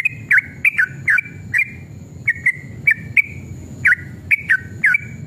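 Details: Sooty-headed bulbul in a combative mood, singing as a lure to make other bulbuls respond; spaced clusters of two or three bright, sliding whistled notes separated by short pauses, with crisp clicks and a low steady murmur.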